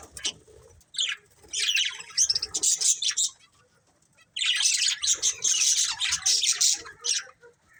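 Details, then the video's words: Breeding pair of colourful pet budgies chirping in two bursts of dense, high, scratchy twittering and warbling chatter separated by a short quiet gap, with faint soft knocks underneath. "Cute Colourful Budgies Chirping Sounds"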